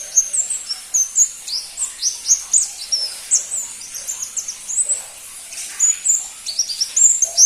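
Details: Crimson-breasted flowerpecker, known locally as pentis pelangi, a rarely kept cage bird: a steady run of thin, high, sharp chirps and short upward-flicking notes, several per second, with short pauses between bursts.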